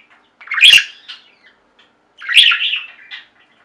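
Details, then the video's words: Kept budgies chirping in a flock: two short bursts of scratchy, bright chirping chatter separated by about a second and a half of quiet. "Most Beautiful Budgie songs Ever: Budgies singing and chirping"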